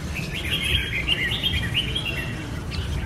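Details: Red-whiskered bulbul singing: a continuous run of quick, chattering warbled notes, bright and twittering, with a steady low rumble of background noise underneath.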